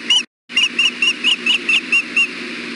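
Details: Osprey at the Hellgate nest on 5 May 2016 at 11:24 am, as the male delivers a fish along with fishing line: a brief opening note, a short gap, then about eight high, squeaky whistled chirps repeated roughly every quarter second.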